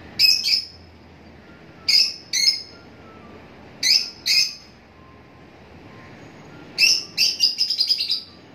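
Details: Lovebirds uttering paired shrill chirps at intervals, then a rapid stuttering series of high notes near the end.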